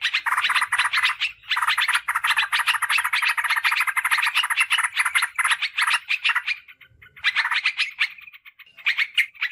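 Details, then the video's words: Sooty-headed bulbul chattering call used for luring wild birds: long runs of quick, harsh notes with a thin high hiss above, broken by a pause near seven seconds before resuming. "Suara PIKAT Trucukan PALING AMPUH"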